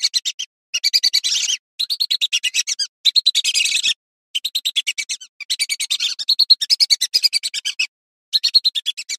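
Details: Female lesser whistling duck calling in a clear voice: rapid bursts of high, sharp chattering notes, about ten per second, in runs of one to two seconds separated by brief clean silences, with no other sounds.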